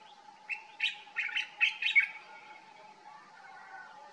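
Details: A common bulbul, filmed on a summer holiday in Morocco where it called every morning, gives one quick, bubbly phrase of about six chirpy notes lasting under two seconds, over a steady low hum.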